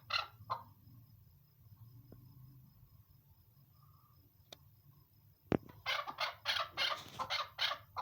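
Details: A female chukar partridge gives two short harsh notes, then falls quiet. After a sharp knock it breaks into a rapid run of rough, repeated chuck notes, roughly three per second, over quiet background.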